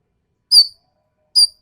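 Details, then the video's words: Sumatran ekek keling giving two short, sharp, harsh high notes nearly a second apart, each brief and bright with a rasping edge, on a quiet background. "MASTERAN BURUNG EKEK KELING SUMATERA SUARA TAJAM DAN KASAR"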